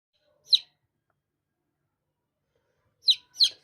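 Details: Baby chicks chirping: three short, high, downward-sliding peeps, one alone and then a quick pair after a long silence.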